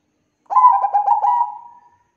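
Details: Singing Bangkok zebra dove used as a lure for other doves: one mellow phrase of quick, bubbling coos with a few sharper accents, tapering into a drawn-out soft tone.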